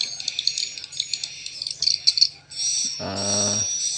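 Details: Swiftlet roosting lure sound blended from several source sounds for swiftlet farming: quick, high chattering chirps and clicks for about two and a half seconds, followed by a man speaking over fainter continuing twitters.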